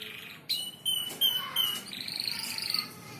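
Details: Canary song offered as a tutor recording for training other birds: a few separate clear whistled notes, some rising, then a soft fast twittering trill near the end, fairly quiet against background hiss.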